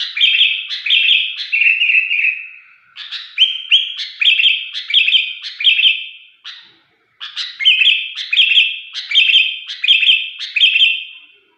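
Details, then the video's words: Sooty-headed bulbul giving a strange, shrill song: chains of sharp, high, chirpy notes grouped in quick bursts, with a brief pause midway before the series resumes. "kutilang gacor dengan suara aneh melengking"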